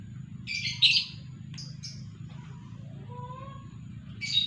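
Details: Separated from its female and let loose alone, a lovebird wanting to mate gives a burst of harsh, shrill double screeches, then two short sharp chirps, a faint lower whistle, and another screech near the end.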